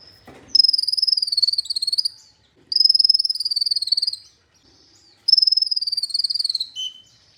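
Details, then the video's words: Olive-backed sunbird trilling for Indonesian birdkeepers' training: three long, fast, high-pitched trills, each about one and a half seconds, with the notes dropping slightly, separated by short silences. "MASTERAN merangsang KOLIBRI NINJA UNTUK PANCINGAN KONIN"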